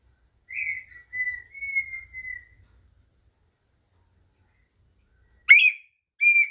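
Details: Brazilian red-winged tinamou whistling: a brief high note running into a long, clear, slightly wavering whistle about two seconds long, then silence and two sharp rising-falling whistled notes near the end.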